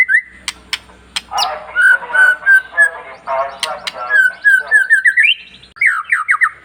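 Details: Long-tailed white-rumped shama singing to rouse other shamas: a rapid run of buzzy chattering notes, then a climbing series of whistled slurs and bright rising notes, with clicks at the start.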